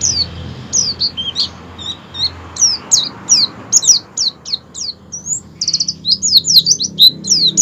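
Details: Oriental white-eye; song; lure to prompt other white-eyes to sing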